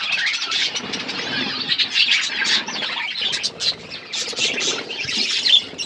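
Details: Several budgerigars chirping while eating food; a dense, continuous chatter of scratchy, high chirps and warbles, steady across the whole stretch with brief louder bursts and a soft fluttering undertone.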